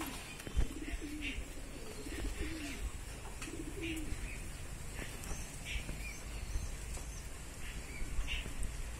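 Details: A Jacobin, a fancy breed of domestic pigeon in the Asian feather and voice show group, gives low, rolling coos in three bursts over several seconds, with thin high chirps from small birds and a steady low rumble behind.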